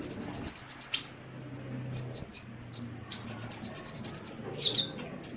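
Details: Sunbird song as tutor material for cage birds: long high trilled whistles, fluttering and sustained, broken by brief pauses and a sharp click, over a low hum.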